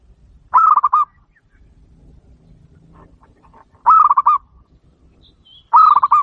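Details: A local zebra dove gives three short bouts of soft, rolling, trilled coos, each about half a second long, spaced a few seconds apart, with faint background rumble; a recording used to lure wild zebra doves.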